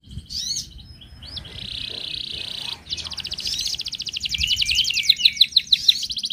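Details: Song of a wild Atlantic canary, used to draw out singing: a few sharp notes, a steady hissing buzz, then a long rolling trill laced with slurred whistles and ending in quick ticking notes, faint background hum.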